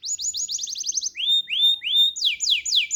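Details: Canary singing a high, rapid trill of about ten sharp falling notes, then three slower upward-swooping whistles that level off, ending with quick falling chirps in pairs; no other sounds.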